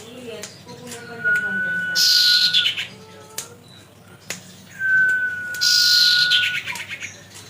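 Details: Common iora song used as bait to make birds sing: two long, lower whistled notes, each alongside a high hissing rasp, over a noisy background with clicks.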